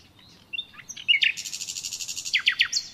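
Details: Natural common nightingale song: soft thin introductory notes, then a rapid, rattling run of evenly repeated notes, ending with a few sharp descending chips and a high whistle.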